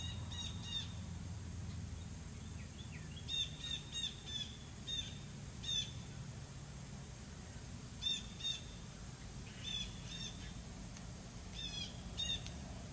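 A cardinal gives short, sharp, high chips in small clusters every second or two, over a steady low rumble of background noise.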